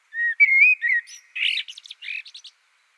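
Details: Clean blackbird song phrase on silence: smooth rising and falling whistles lasting under a second, then a buzzy burst and a string of rapid high twitters ending abruptly.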